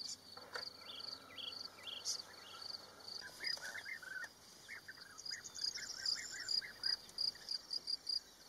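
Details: European bee-eaters in a small colony at Rusenski Lom in early May, courting and nesting while crowding for the best places on the wall: short rolling calls overlapping from several birds, under a steady high pulsing cricket chorus.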